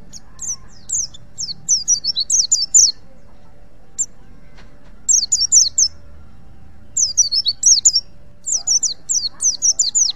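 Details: A wild-type white-eye from Pacitan, used as a song tutor, sings bursts of rapid, high, tumbling twitters lasting about a second each, separated by short pauses, over a faint low background rumble.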